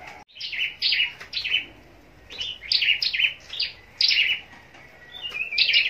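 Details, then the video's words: Caged scarlet-backed flowerpecker kept for singing contests at Long Thành, southern Vietnam, competing in song: sharp, high downslurred notes in short bursts of two or three, separated by brief pauses. "Chim Sâu Đầu Đỏ Hót Đấu"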